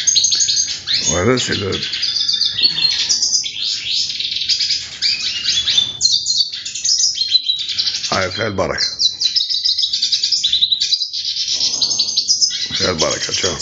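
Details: Hooded siskin giving a long, rambling twitter of high buzzy trills and sharp chirps, with occasional louder, lower rasping notes that sweep down.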